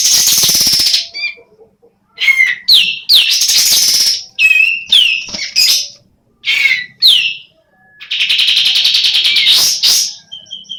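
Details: Female sooty-headed bulbul, semi in breeding condition, calling in irregular bursts of raspy notes and sliding slurs, ending in a longer run of rapid buzzy chatter.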